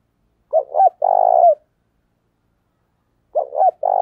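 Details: Spotted dove lure cooing to provoke other males: a loud phrase of two stuttering notes then a long throbbing purr, repeated after about two seconds of silence, the second phrase cut short.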